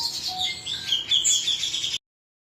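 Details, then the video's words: Male cucak cungkok delivers a short burst of bright, high chirping and whistled slurs, cut off abruptly into silence. "suara jantan burung cucak cungkok"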